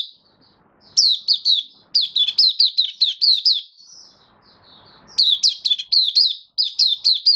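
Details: On 18 May 2022 a caged white-eye, treated with dewormer and health supplements, sings 'buka sing': dense phrases of shrill, descending chirps, a softer warbling interlude, then renewed rapid chirping.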